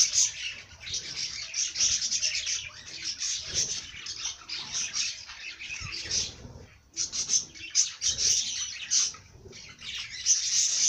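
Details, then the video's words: Birds twitter and chirp in a dense, high-pitched, almost unbroken chatter, with a brief pause near the middle. "Bird sing song madár ének"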